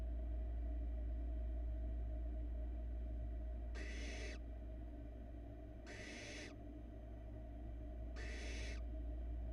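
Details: Barn owl nestlings on a Florida nest cam, 2022, while the youngest swallows a big rat. After a quiet start, three breathy, snoring hisses arrive about two seconds apart over a droning low background hum.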